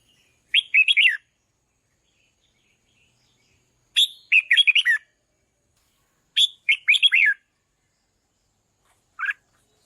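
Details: Red-whiskered bulbul repeating a bright, chattering whistled phrase about every three seconds, three full phrases and a final short note, sung to excite decoy birds; otherwise quiet.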